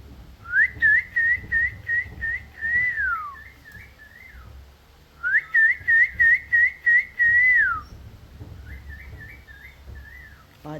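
A cockatiel whistles a wavering, tuneful phrase in two bursts, copying its owner's whistling.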